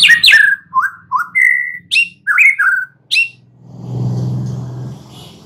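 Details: Young wild forest White-rumped shama giving a few loud, clear whistled slurs and sharp notes, then falling silent as a low engine rumble of a passing vehicle takes over.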